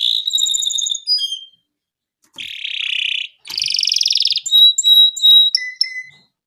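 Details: Canary delivering long gacor song for baiting and mastering: a fast rattling trill, two dense buzzy rolls split by silence, then clear whistled notes that drop lower.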